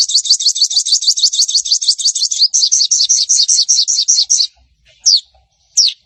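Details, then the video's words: Crimson sunbird chattering song used to make other birds join in: a fast, steady stream of very high chirps for over four seconds, then two isolated sharp notes. "Suara Sogon Gacor - Sogon Ijoan, Trotol, Macet Pasti Langsung Nyaut"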